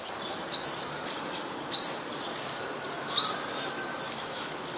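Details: Olive-backed sunbird in the mangrove forest of the Sirinart Rajini centre: four sharp, high, rising chirps, roughly one every second, over a steady low background hiss.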